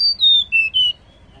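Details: Female banded pitta call, used to stimulate males into calling: clear whistled notes, a high one sliding down into a longer lower whistle, then a lower steady note and a slightly higher final whistle, over a quiet background.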